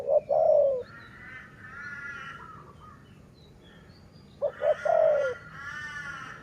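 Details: Dove recorded in Thailand: two bursts, each of a few short clipped notes and then a longer, falling, husky coo, around the start and again near five seconds, with fainter harmonic sounds between them and a low background hum.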